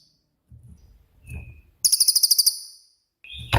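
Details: Cililin (pygmy tit), a 'tembakan' type songbird used as a training master: soft low rustles, a short thin whistle, then a bright burst of rapid, very high pulsed notes and a final sharp click.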